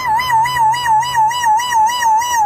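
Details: Einstein, a talking parrot, answers the prompt 'are we in trouble' with a loud, steady whistled tone that wavers up and down about four times a second, like a siren, indoors.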